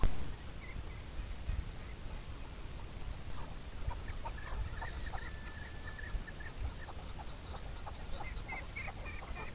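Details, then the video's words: Chukar giving repeated short clucking notes that build into a steady chuk-chuk series over several seconds, accompanied by a thin sustained whistle from another bird and soft background hiss. "Alectoris chukar Πέρδικα"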